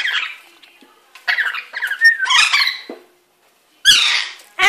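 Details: A pet lory splashing about in a sink with a wet cloth makes a run of rasping, chattering squawks, then a pause and a loud harsh screech near the end, indoors.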